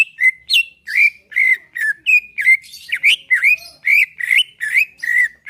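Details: Greater green leafbird singing steadily to prompt caged birds: a continuous run of clear whistled notes, many rising or sliding, about two to three a second.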